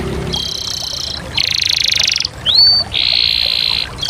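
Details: Canary song made of long buzzy rolled trills, each held about a second, broken by a quick upward-sweeping whistle; a short low note opens the phrase.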